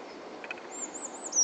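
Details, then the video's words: Short burst of blue tit song at Uppsala Botanic Garden: thin, very high, wavering notes sliding downward. A faint soft tapping sound comes before them, over steady background hiss. "Blue tit sings at Uppsala Botanic Garden"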